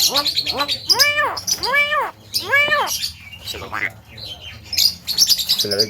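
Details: Loud talking Javan myna imitating human speech with arched, voice-like syllables in a halting series, separated by brief pauses, over faint background rustle.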